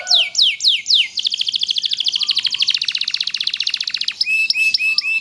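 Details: Canary song for training other canaries: three loud descending whistles, then a long fast high trill of even pulses, ending in short sharp chirps.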